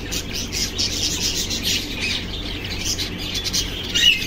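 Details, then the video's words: Cockatiel making affectionate "love" sounds: a dense, continuous wash of high, scratchy chirps and twitters, ending with a short clear whistle. "Cocktail Parrot pretty love sounds"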